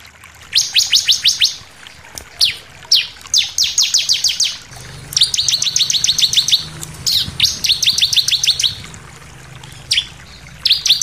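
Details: Bar-winged prinia song used as a lure to provoke other birds into singing: bright, high chirps delivered in quick repeated bursts of about eight to ten notes, separated by short pauses, with a faint low hum underneath.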